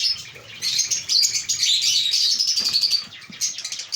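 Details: Squeaky, shrill twittering from an African lovebird breeding colony, a continuous run of rapid high chirps from several birds that fades slightly toward the end.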